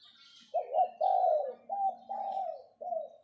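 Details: Decoy spotted dove, caged, giving its 'phao' luring call: five mellow coos of varied length, steady and slightly descending, with a low buzzing hum and a few distant high chirps.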